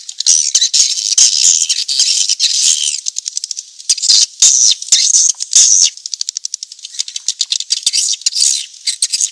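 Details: Swiftlets on a recording played to lure the birds: a long, dense stream of high chattering twitters, broken by a few short pauses and some rapid ticking runs.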